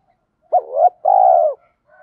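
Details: Spotted dove coo used to lure wild doves: a wavering, rising first note, then a longer, even, pulsing coo that drops away at the end. The background is quiet.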